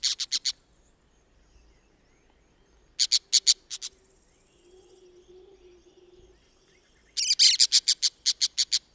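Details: A pair of Orange-chinned Parakeets (Brotogeris jugularis) in Costa Rica gives harsh, scratchy chattering notes in quick bursts of four to ten, with a thin high whistle from another bird between bursts.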